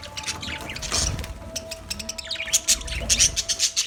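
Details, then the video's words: Budgerigars in a colony chattering: scratchy high warbles in the first half, then a quick series of sharp bright chirps near the end, with a light background hum. "Budgies Parrot colony | Budgies chirping sounds"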